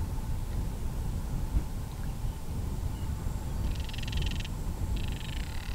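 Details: Northern crested caracara in breeding season, filmed with a Canon SX70HS, giving two short hollow rattles of rapid pulses, each under a second and separated by a brief pause, against constant low-pitched wind noise.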